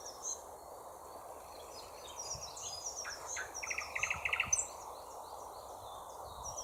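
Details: Thrush nightingale song: a fast, even trill of pulsed notes in the middle, with a few clicks below and many faint, high chirping birds behind.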